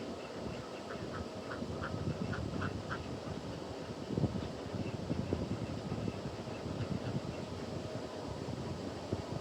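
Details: Ducks at sunrise, kept alongside chickens and goats: a quick run of about eight short, nasal quacks in the first three seconds, then fading under a steady, dense rushing background noise.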